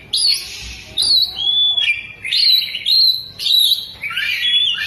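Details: Caged Oriental magpie-robin spreading its tail as it sings, loud phrases of clear slurred whistles alternating with rough buzzy chatters in the style of a lovebird, each burst about a second long with short pauses.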